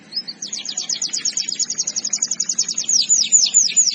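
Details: Canary singing a masteran, a training song: a brief rising note opens a rapid, even trill of high clipped syllables, which slows into louder looping whistles toward the end; faint low hum in the background.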